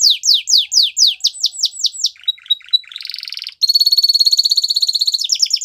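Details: Canary song for training young canaries: loud descending whistled sweeps repeated rhythmically, a thin whistle with soft ticks, a buzzy rattle, then a very fast, high, steady trill.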